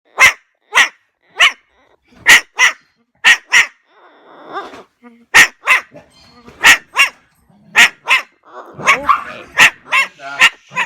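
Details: Rescued pet parrot, found by its leg band to be 68 years old, imitates a dog with sharp, loud barks, repeated singly and in pairs, faster toward the end.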